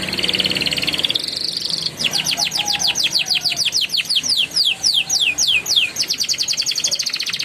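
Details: Rolling, chattering song of a young canary, played as a prompt for canaries that have stopped singing: a soft warbled opening, then long runs of quick high slurred notes repeated about four times a second.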